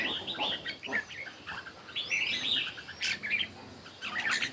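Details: Red-whiskered bulbuls singing competitively in the morning: bright, tumbling warbles and sharp chirps overlapping in busy bursts, mixed with clicks and knocks and background bird chatter.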